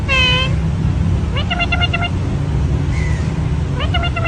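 A parrot gives a drawn-out harmonic squawk, then quick bursts of four or five clipped, ringing notes. A steady low rumble of traffic runs underneath.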